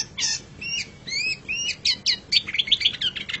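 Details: Long-tailed shrike (pentet or cendet) in a song-training recording: a scratchy note, several upslurred whistles, then an accelerating string of quick, tinny chips at the end.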